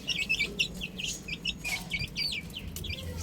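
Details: Young chickens playing on a roof utter clear, high, dropping peeps one after another in a quick, uneven series over faint rumble.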